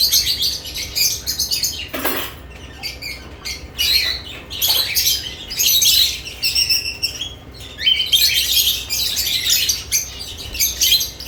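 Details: Lovebirds exploring their new nest boxes keep up a dense, scratchy chorus of high chirps and squawks, with a brief lower rasp and some wing movement.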